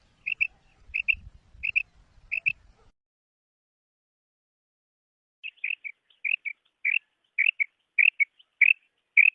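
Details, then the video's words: Calling female quail: four evenly spaced paired chirps, a pause of a few seconds, then a longer run of sharp double and single notes repeating quickly. "FEMALE BATAIR SOUND / BUDANA OVOZI"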